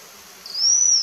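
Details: Slaty-backed chat-tyrant (Ochthoeca cinnamomeiventris) call at Vereda La Cristalina, Neira, Caldas, Colombia: one thin, very high whistle, slightly rising then easing down, drawn out over just over half a second against faint hiss.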